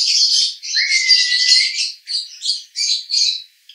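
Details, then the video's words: Konslet-style roda gila song from a male lovebird, Cibinong, Bogor: loud, harsh, squawky high chatter, a short upward-sliding whistle near one second, then four choppy bursts separated by brief gaps. "Master Lovebird Jantan Konslet RODA GILA"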